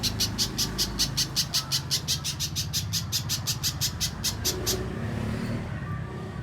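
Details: Spiderhunter (pijantung pisang) mbeset master for contest birds: about twenty rapid sharp high chips in a steady run that stops abruptly, leaving low background rumble.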